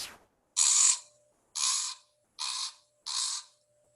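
A Common Raven gives four harsh, rasping croaks, each under half a second, spaced roughly a second apart, with no other sounds.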